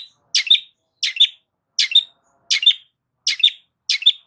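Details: Loud Long-tailed shrike song meant to draw a response from silent shrikes: six short harsh, scratchy bursts with a brief squeaky ending, evenly spaced roughly every 0.7 seconds, with silence between.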